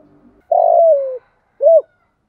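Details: Spotted dove used as a decoy, calling to lure other doves: a long, smooth coo that slides gently downward, followed after a pause by a short, arched coo note. Quiet background.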